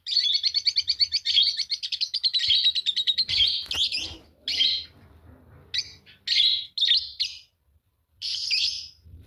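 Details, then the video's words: Green Fischer's lovebird pair sings: a long fast series of clipped, high chirps for about three seconds, followed by separate loud squeaky notes and short chattering phrases broken by gaps. "Lovebird singing and chirping sound, green fischer pair"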